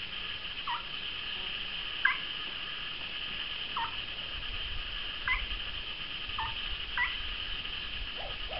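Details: Moustached turcas apparently courting, a pair or small group, calling with a string of short, low, slightly falling notes about every second, six or seven in all, with a faint higher whistle on some, above constant high-pitched background hiss.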